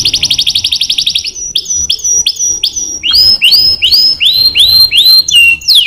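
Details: Canary song opening with a rapid high trill, then clipped notes and a series of looping, rising-then-falling whistled phrases repeated about twice a second.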